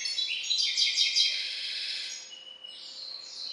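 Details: Hybrid finch sired by a Balkan goldfinch (Carduelis carduelis balcanica) singing a bright, fast twittering song of high tinkling notes and trills, busiest at first, then thinning to a few clear whistles; faint steady hum behind.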